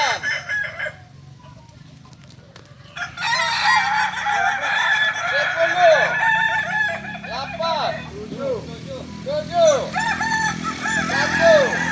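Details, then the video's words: Crowing Kokok Balenggek chickens at a group practice meet in Ampang Kualo, Solok: after a quiet start, rapid series of bouncing, arched notes rise and fall in steps, several birds overlapping amid crowd noise. "latberan ayam kukuak balenggek ampang kualo kota solok.."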